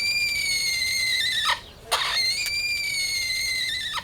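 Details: A baby Sulphur-crested Cockatoo, found on a golf course after falling 20 m from its nest and suspected to have a broken leg and knee, gives a loud, shrill, steady squeal for four seconds with one brief pause.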